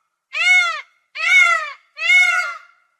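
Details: Peafowl calling, three loud nasal wailing notes of about half a second each, arched and rich in harmonics, spaced nearly a second apart against a silent background.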